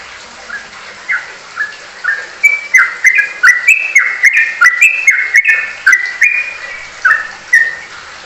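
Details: Sooty-headed bulbul in rapid ropelan song, starting with spaced whistled notes and speeding into a dense run of bubbling, falling two-note phrases, punctuated by sharp clicks.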